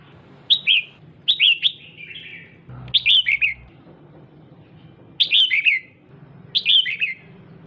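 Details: Captive female red-whiskered bulbul calling to excite a male, giving five short bright phrases of descending chirps spread over several seconds, with a brief dull thump midway and soft low hum behind.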